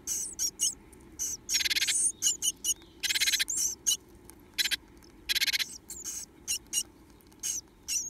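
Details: Japanese tit young, the two left in the nest box, energetically begging for food: high hissy cheeps alternating with long, loud, grating buzzy rasps, some sweeping thin squeals between.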